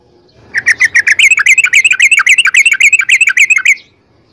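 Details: Sooty-headed bulbul in a rapid, continuous trill of bubbling chirps, about three seconds long, each note a quick up-down slur, used as a lure to get caged birds singing.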